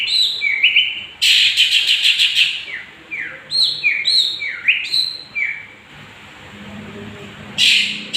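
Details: Lure song of a young 'gondrong' Long-tailed Shrike, used to rile other birds: harsh rasping bursts mixed with sharp downslurred whistles, broken by uneven pauses near the end.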